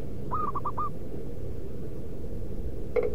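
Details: Zebra dove, local wild type, calling as a lure for doves in the wild: one clear phrase of a longer note and three clipped notes, followed by a short sharp knock against constant low background rumble.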